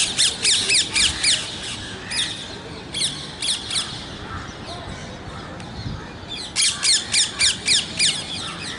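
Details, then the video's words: Parrot squawks in the wild: two loud runs of rapid, grating notes at the start and end, separated by a quieter stretch with scattered distant squawks. "Natural Parrot Voices"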